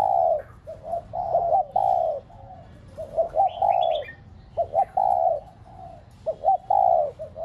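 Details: Spotted dove kept as a decoy, cooing to rouse pet doves: steady series of doubled short coos and long falling notes, with a brief high chirping bird in the middle.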